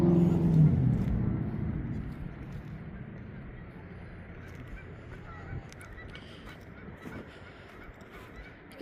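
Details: Canada geese at the locks of Lockport on a spring evening in late April, close to 9 pm at dusk, honk, probably looking for a place to land for the night: a burst of deep, nasal honks, then a steady outdoor rumble with faint distant calls.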